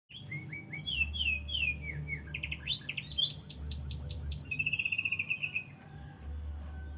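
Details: Canary with a full, varied song: rising whistled slurs, then a fast high trill of repeated notes and a long buzzy rattle, over a low steady hum.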